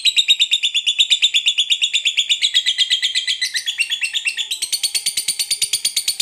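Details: Extended ngekek chatter of a fighter lovebird, rapid high rattling notes for over six seconds, pitch wavering and stepping up near the end, each note crisp and evenly timed.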